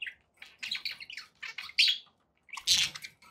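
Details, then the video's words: Pet budgerigars giving a few quick warbled chirps in short groups, ending in a loud harsh squawk. "relaxing budgie sounds for you"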